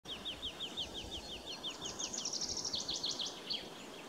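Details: Woodlark song at Hagestad, Sweden, on 23 March 2024: a quick run of liquid, down-slurred notes, then higher, faster fluty phrases, over a faint background hiss.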